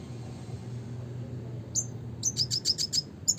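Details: Red siskin singing in the classic 'gacor' style: after a quiet start, a quick run of short, high, sharp chirps repeated several times a second, ending in a brighter twittering note, over a low steady hum.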